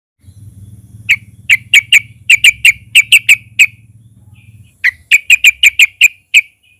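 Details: Sooty-headed bulbul (trucukan) singing loudly, used as a lure to get other bulbuls singing: two bursts of sharp, bright chirps repeated about three per second, separated by a short pause, with a low hum beneath.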